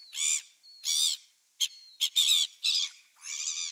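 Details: Gulls recorded on 27 December 2017: grating squawks of mixed length, with two short clipped notes in the middle and a thin whistle running between calls.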